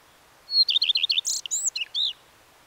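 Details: A common redstart delivers its song: a high lead whistle, four quick repeated notes, then a varied run of buzzy, scratchy and slurred phrases lasting about a second and a half.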